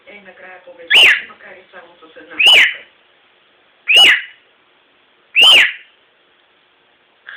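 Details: Cockatiel uttering four evenly spaced, rasping screeches roughly every one and a half seconds, each a short bent note, with quiet talking heard only at the start.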